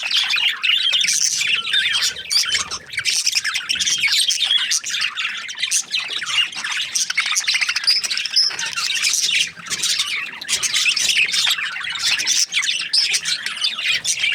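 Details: Long stretch of budgie chatter: countless overlapping high chirps, squeaky twitters and harsh notes form a steady, busy wall of bird sound.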